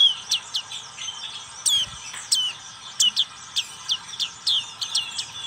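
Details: Song of a black-capped white-eye: bright high chirps and downslurred whistles delivered in quick bursts about every half second, over a soft background hiss.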